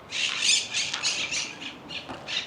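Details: Introduced Argentine monk parakeets cackling in a palm grove in Valencia, Spain; a dense run of harsh, grating squawks, each burst brief and closely spaced, continuing throughout with little other sound.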